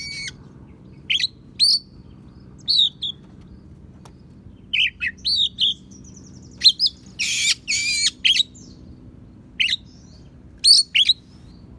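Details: Tutor song of an Oriental magpie-robin mimicking sparrow and prinia: a lively run of sharp high chirps and short twittering notes, broken by a loud harsh rasping burst partway through, then more spaced chirps.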